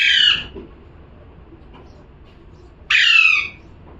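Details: Parrot giving two loud, raspy, falling squawks about three seconds apart, with near silence between them.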